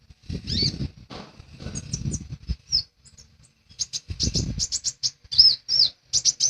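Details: Lesser green leafbird singing actively: quick high chirps and twittering notes in irregular bursts, mixed with low rustling and fluttering noises.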